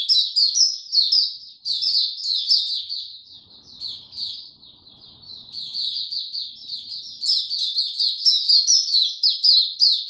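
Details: High, rapid twittering song from a white-eye kept in warm, very humid weather, loud at the start, fading to a quieter stretch mid-way, then building again into a busy run of thin chirps.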